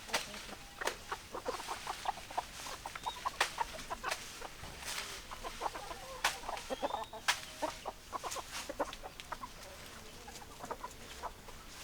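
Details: Chickens, hens and roosters, in a flock giving many short, sharp clucks scattered irregularly through the recording, with several birds calling over a steady background hiss.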